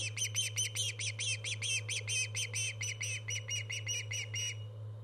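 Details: Persistent shrill whistled chirping from an Osprey on a live nest cam, 24 August 2014: about twenty sharp, repeated notes in quick succession, stopping near the end, above a low electrical hum.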